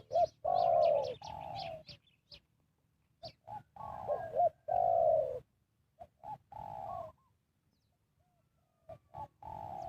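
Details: Spotted dove used as a decoy to lure wild birds for trapping, giving repeated hoarse, rolling coos in short bursts with brief pauses, mid-pitched and slightly descending, with some rustling clicks between phrases.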